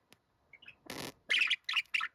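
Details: Pet budgerigar, said to use a voice like a middle-aged man; a brief hiss-like burst followed by three loud, bright, squeaky chirps in quick succession.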